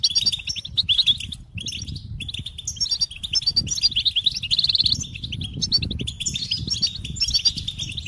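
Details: Goldfinch singing fast liquid twitters and a short buzzy trill, phrases nearly continuous, with low rumbling background noise throughout.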